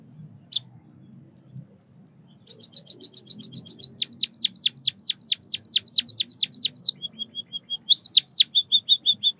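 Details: Chirping from a white-headed munia: one sharp high note, a quiet gap, then a rapid string of high ticking notes turning into repeated downward-slurred whistles, a few short flat notes and more slurred whistles.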